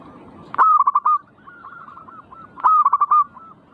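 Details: Zebra dove song for provoking singing: two strong phrases two seconds apart, each an abrupt start then four or five fast, mellow coo pulses, with quieter cooing notes between.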